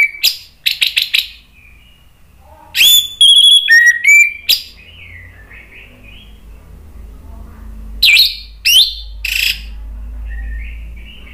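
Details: Orange-headed thrush in agitated provoking song: clusters of sharp high chips and ringing whistled notes with a bright trill, interrupted by softer twittering, with a low hum beneath.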